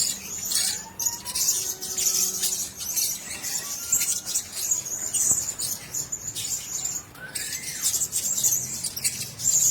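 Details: Blue-crowned hanging parrots sharing a cage twitter in continuous high, thin squeaks; a few lower whistled tones and a faint hum sound beneath the chatter.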